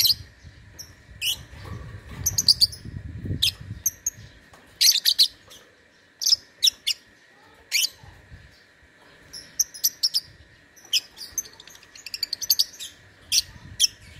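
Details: Lovebird from Singkawang, West Kalimantan, Indonesia, entered in an online singing contest: shrill, sharp high chirps in uneven bursts, some tightly clustered, with soft low rumbling noise early on.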